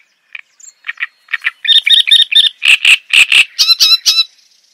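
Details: Java sparrow chattering song that starts with scattered soft chips, then builds into fast buzzy twitters, loud ringing clucks and high tinny whining notes near the end.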